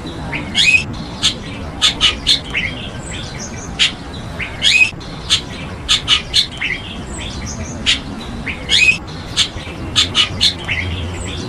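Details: Chestnut-tailed starling, an exotic species in Taiwan, producing repeated clipped chirps mixed with buzzy, upslurred squawks in loose clusters over steady low background noise.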